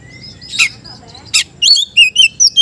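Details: Singing magpie-robin calling out a rival: faint thin whistles and two noisy bursts, then a fast series of clear, sharp whistled notes dipping and rising, steady low hum beneath.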